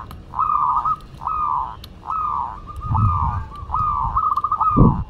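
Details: Local Madura zebra dove singing vigorously: a run of rapid, mellow cooing phrases, each a stuttered, slightly wavering note, repeated about every second, with a low rumbling background.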